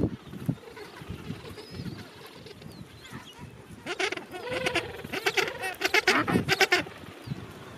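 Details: Late-summer Gentoo penguin rookery with thousands of birds, quiet low rumbling at first, then a burst of raucous, rapidly repeated braying pulses from about the fourth second onward.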